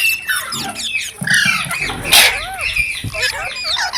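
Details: Green parrots, described as talking, give harsh noisy squawks and a few arched whistles, with one loud broadband screech in the middle.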